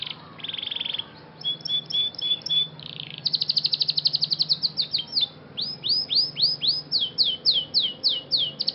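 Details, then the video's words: Scotch Fancy canary singing as part of training: a buzzy rattle and thin whistles lead into a fast even trill, followed by a series of slower arching swoops repeated about twice a second. "canary scotch fancy singing most beautiful song bird - canary training champion"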